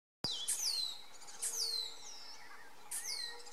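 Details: Near a nest at Poza Honda, Ecuador, a becard, either slaty or one-colored (identification uncertain), gives an alarm or protest: thin, high, sharply falling slurred whistles about every 1.5 seconds over insect hum, before moving into the understory.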